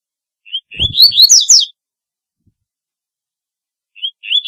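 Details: Double-collared seedeater song used as a calling song: a short phrase of rising whistled notes building into fast, loud, slurred chirps around one second long, with a second phrase just beginning at the end; brief low thump near the start.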